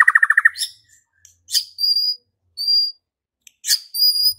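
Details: Murai batu, the White-rumped shama, used as a fighting and singing lure: a quick run of seven repeated notes, then sharp chips and several thin, high, level whistles separated by silences.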